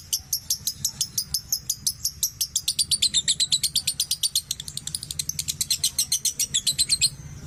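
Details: Lovebird performing ngekek, a long chattering song used as a lure to get other lovebirds singing: a fast, sharply repeated series of high, bright notes, about three per second, steady for seven seconds before stopping abruptly.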